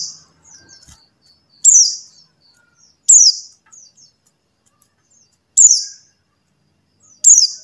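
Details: Buxtoni white-eye call, used as a lure to get silent white-eyes singing: sharp, very high, down-slurred notes given singly about every one to two seconds, with faint soft twitters between them.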